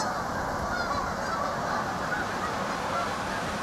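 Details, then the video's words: Crowded gathering of geese honking over one another in an unbroken, even clamour. "A Whole Lot of Flocking Geese"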